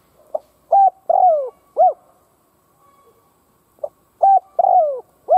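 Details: Spotted dove kept as a decoy, cooing to rouse other doves. Two phrases, each made of a short note, a flat coo, a lengthy descending coo and a rounded closing note, separated by a quiet gap, over a faint steady hum.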